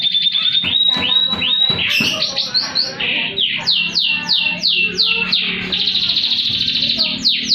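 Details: Vigorous canary song in high-and-low style, meant to prompt silent canaries to sing: sustained whistled tones give way to a fast series of repeated descending slurs and rolling trills, with a faint low hum beneath.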